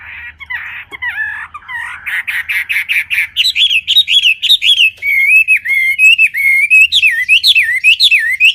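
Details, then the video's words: Clear wambi song starting with buzzy rapid notes, then a long chain of loud warbled whistles that swoop up and down, quickly repeated. "Kicau Burung Wambi Jernih"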